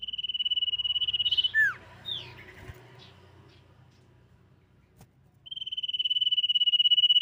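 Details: A Common Iora, possibly a female, gives a long, even, high trill broken by a few sharp downslurred whistles before the steady trill returns, used as a lure call to provoke other ioras.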